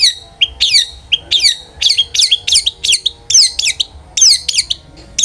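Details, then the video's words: Long-tailed shrike in full song, played to prompt other shrikes to sing: a fast, continuous run of sharp, high, sweeping notes that slide downward, loud and harsh, several per second without pause. "cendet gacor NGEPLONG sangat ampuh buat PANCINGAN cendet agar RAJIN BUNYI"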